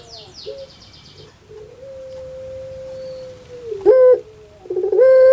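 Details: Puter pelung dove kept in a cage in Indonesia, its voice likened to a crying baby: one long, steady, even-pitched moaning coo held for about two seconds, then short rising coo notes.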